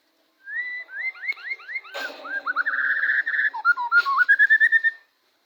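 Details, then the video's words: White-rumped shama song used to provoke another shama into singing. Clear rising whistles repeat rapidly, followed by a sustained warbling phrase. Two sharp clicks punctuate the song, which ends in a quick run of bright, repeated whistled notes. "murai batu gacor AMPUH buat PANCINGAN murai batu agar bunyi"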